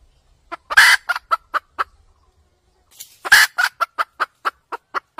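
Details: Red junglefowl hen used for trapping: two bursts, each opening with a loud raspy squawk followed by a string of quick clucks, separated by a short silence.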